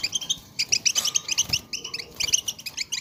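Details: Chorus of several European goldfinches chattering together, used to stimulate goldfinches to sing: dense overlapping twittered notes, bright, tinkling and rapid, with brief pauses in the flow.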